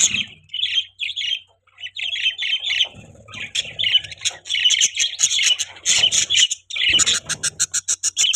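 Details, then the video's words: Budgerigars chirping and chattering: harsh scratchy warbles, building into dense overlapping chirps, then a fast series of short sharp repeated notes near the end, with faint low rustling throughout. "Budgies Chirping Sound"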